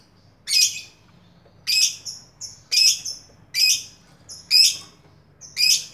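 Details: Lovebird repeating loud, rasping squawks roughly once a second, six in a row, each followed by a short high squeaky note.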